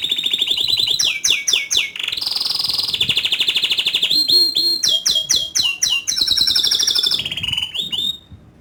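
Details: Canary in full song in the rolling, high-shooting style called ngerol nembak: fast buzzy trills alternating with sharp up-and-down whistled notes and long rattling rolls, continuous and loud throughout.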